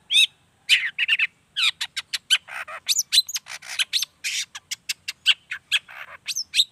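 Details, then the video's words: Long-tailed shrike song, sung to make rival shrikes respond; a continuous, rapid stream of clicking, rasping and twanging notes with frequent sharp whistled inflections. "Suara Cendet Gacor Pagi Siang Sore Biangnya Bikin Cendet Manapun Nyaut Emosi Ikutan Bunyi"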